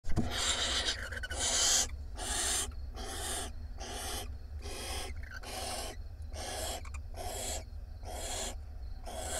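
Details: Barn owls at a nest box on camera 1 in Israel, 9 March 2021, as the male brings a huge rat to the nest: harsh, broadband rasping hisses in bursts about every 0.8 seconds, steady throughout.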